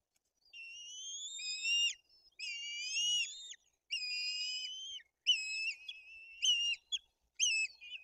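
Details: White-tailed eagles in Tuchola Forest, Poland, as an adult feeds chicks brought fish and the older chick acts aggressively; high, clear whistled notes with rising starts, repeated in a run of about eight calls of shortening length.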